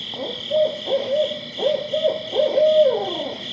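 Barred Owl giving a rhythmic run of five deep hoots, the last drawn out and sliding downward, over a steady high hiss.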